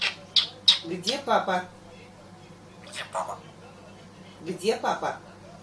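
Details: A grey parrot named Motya mimics its owner's father's cough and sneeze, with sharp clicks and rasping, speech-like bursts in three short groups over a steady low hum; also says "kaka" and "love grandpa" in Russian.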